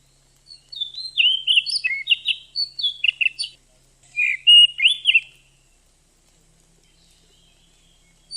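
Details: Kept female oriental magpie-robin whose calls are used to coax a male into singing and breeding condition; a chattering series of high whistled and chirped notes for several seconds, a pause, then a shorter burst.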